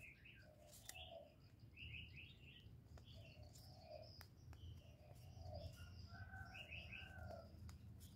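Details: Spotted dove calls in 'giọng thổ' style, used to provoke male doves: low mellow coos in short groups, mixed with frequent sharp high chirps from small birds and occasional clicking sounds.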